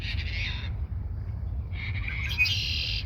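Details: Red-winged blackbird at Montrose Point Bird Sanctuary singing close to the person filming: a short buzzy phrase, a pause, then a longer, rich buzzing trill, with constant low-pitched background rumble beneath.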